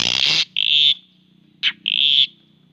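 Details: Loud, harsh buzzy notes from a pet white-rumped shama: two long rasping bursts, each preceded by a shorter grating note, with brief silence between them.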